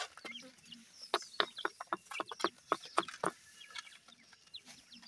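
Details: Grey francolin (dakhni teetar) chicks while feeding. Rapid bursts of short, sharp clucking notes, about four a second, irregularly spaced and loudest in the middle, over a faint background hiss.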